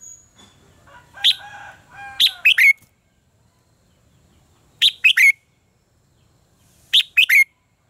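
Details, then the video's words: Contest song of a red-whiskered bulbul, recorded for training birds to sing. Three separated bursts of quick, sharp whistled notes, each ending in a falling slur, follow a soft lower warbling phrase. "luyện giọng cho chào mào hót hay - căng lửa, chào mào hót quá phê"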